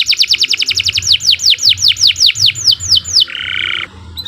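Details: Canary master song for training birds: a rapid run of downward-sweeping whistled notes that slows toward the end, followed by a short harsh buzzy note.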